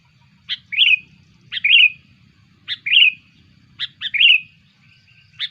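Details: Sooty-headed bulbul lure calls: five double calls about once a second. Each has a sharp click and then a liquid, burry note. A sixth call starts at the end.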